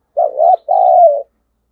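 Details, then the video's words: A single cooing phrase from a spotted dove lure bird with a 'giọng thổ' style voice, used to provoke wild birds to fight: a short throaty note, then a longer, steady, slightly falling coo. "Chim Cu Mồi Thúc Đấu/ tieng cu gay kich boi nhanh noi"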